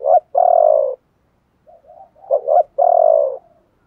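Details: Spotted dove calls, male and female voices used to stimulate other birds to coo: low hooting coos with a long drawn, slightly falling note, in two bursts separated by a quiet gap with softer muffled coos.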